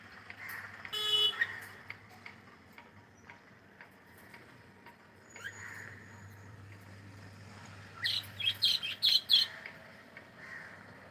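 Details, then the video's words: Cockatiel singing and playing: a harsh chirp near the start, then a cluster of five or six quick, raspy, high chirps close together near the end, over a steady low hum. "Cute Cockatiel singing and sound and playing"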